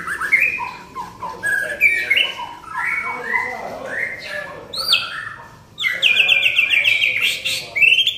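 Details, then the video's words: White-rumped shama in full song: rich whistled phrases, rising and falling, with rapid chattering notes and a bright trilled run near the end, some faint voices beneath. "burung murai gacor"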